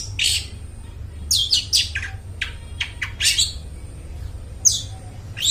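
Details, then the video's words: Long-tailed shrike song for luring mute shrikes: sporadic clusters of sharp, downward-slurred rasping notes separated by pauses, with faint hum in the background. "suara burung cendet gacor suara plong cocok buat pancingan burung cendet bisu"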